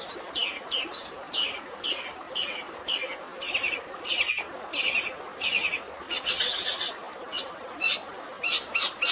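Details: Long-tailed shrike in fighting song with sparrow imitations and natural water noise behind: a run of descending chirps about two per second, then a burst of harsh, scratchy notes mixed with tiny high pips.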